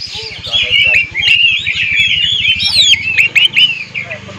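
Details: Oriental magpie-robin singing a lure song meant to make other magpie-robins sing: fast chattering whistles and upward-sweeping notes over a regular low buzzing pulse.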